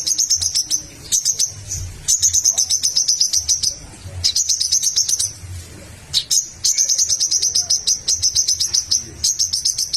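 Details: Crimson sunbird (sogok ontong) in energetic song meant to goad rival birds into answering; long bouts of rapid, piercing high trills lasting one to two seconds each, separated by short pauses and isolated sharp notes.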